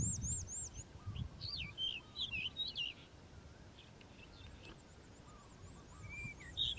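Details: Morning song of a calandra lark: high arched notes at the start, then varied twisting chirps and trills, followed by a quieter stretch with scattered sharp notes near the end.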